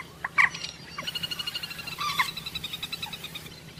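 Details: Common moorhen (jal morgi) gives a couple of abrupt, harsh call notes, then a fast, even train of clucking pulses at about eight per second that gradually fades.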